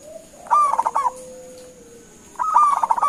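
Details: Local zebra dove calling to provoke other doves into answering: two bursts of rapid, rolling staccato coos, each under a second, with a steady high electronic whine and a faint lower tone in the background.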